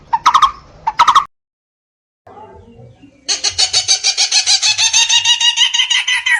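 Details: A barbet (Megalaimidae) gives two short harsh bursts, then after a pause a fast run of nasal, buzzy notes, about three to four each second.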